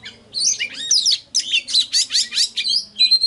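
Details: Oriental magpie-robin singing as a lure to provoke rivals: quick run of buzzy, scratchy notes repeated about every third of a second, ending in a clear steady whistle.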